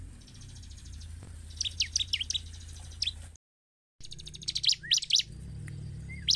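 Bar-winged prinia giving high, sharp chirps and quick slurred notes over a fast, buzzy trill, with a brief break midway and a faint low hum beneath.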